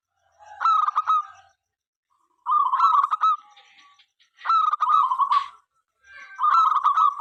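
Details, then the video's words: Local Zebra dove sings to urge other doves to sing along. Four phrases of fast, stuttering, nasal cooing roughly every two seconds, each ending in a drawn, trilled note. "perkutut lokal gacor suara MENGGODA apapun jenisnya 5 detik nyaut."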